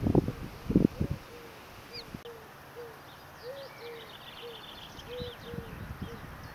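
Grey-headed swamphen giving soft, low, arched hoots, about one or two per second. Faint higher chirps from other birds and some low thumps at the start.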